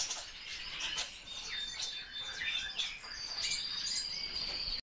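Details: A captive common starling runs through a busy jumble of high clicks, chirps and short whistles, ending on a long thin whistle held steady near the top of its range.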